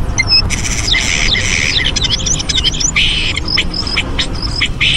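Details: Bald eagles at their nest in Minnesota on a Thursday morning, 26 February 2015, captured by a live nest camera: shrill squeaky chattering chirps in rapid uneven bursts over a steady loud background hiss.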